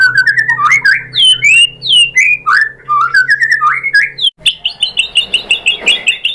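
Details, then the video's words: Lure song of a white-rumped shama, meant to provoke another bird into singing: rolling, swooping whistled phrases give way to a rapid, rhythmic run of repeated bright chips. "PANCINGAN MURAI BATU biar EMOSI jadi NYAUT IKUT GACOR"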